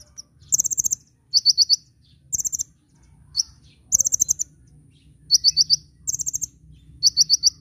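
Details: Kolibri ninja sunbird song used as a master for cage birds, lively nyecret-nembak style: repeated short bursts of four to six rapid, very high chirps, alternating between two pitches, with brief pauses between bursts.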